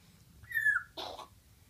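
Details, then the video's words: Indoor 8-month-old male Congo African grey parrot mimicking a little girl's chest-cold coughing: a short flat whistle followed by one harsh, breathy cough-like burst, with a low hum in the room. "African Grey coughing"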